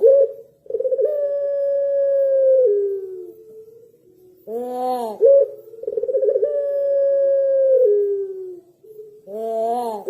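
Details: Pelung dove song repeated twice: each phrase opens with quick stuttering notes, swells into a long sustained mid-pitched tone, slides down, settles into a low hum, then ends with a harsh, arched burst full of overtones. The surroundings are quiet.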